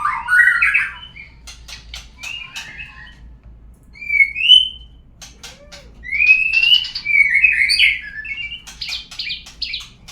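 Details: White-rumped shama lure sound to trigger singing: scattered clear whistles, a low mellow note and clusters of quick ticking clicks between varied warbles.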